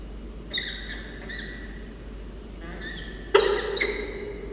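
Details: Peregrine falcons at a nest box in Orange, Australia, 22 Sep 2023: a juvenile female follows male Xavier in after an interrupted landing and he challenges her. A few harsh, nasal wailing notes, then two loud, grating calls over quiet hiss.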